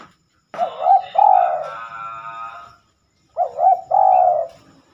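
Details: Spotted dove cooing at night, unusual for this bird: two low, hollow three-part phrases about three seconds apart. Each has a clipped opening note, a wobbling middle and a longer sustained coo that fades out. Otherwise quiet.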